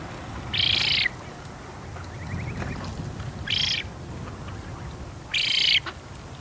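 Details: A juvenile Eurasian spoonbill begs for food on Bislicher Insel, 12 September 2021 mid-afternoon, filmed on a Canon EOS R5; three short, rasping, breathy wheezes come at uneven intervals against a steady low hum.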